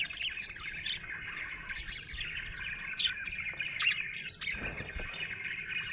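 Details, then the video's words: Chirping from a happy budgerigar: an unbroken, even warble of fast twittering and buzzy notes with occasional brighter chirps, faint low background hum. "Happy budgie chirping sound"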